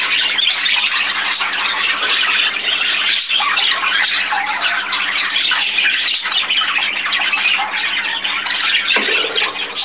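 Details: Budgerigars in an indoor room, dense continuous chattering and warbling with squawky notes, many birds calling at once, steady throughout.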